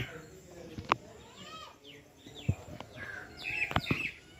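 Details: Oriental magpie-robin singing: a string of clear whistled notes, some arching up and sliding down, others short and descending, ending in a brighter burst of higher notes, with sharp knocks and clicks between phrases.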